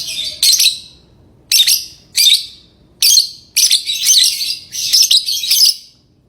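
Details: Lovebird giving a quick run of shrill, rasping chirps, about eight sharp bursts in six seconds, some coming in close pairs, against near silence.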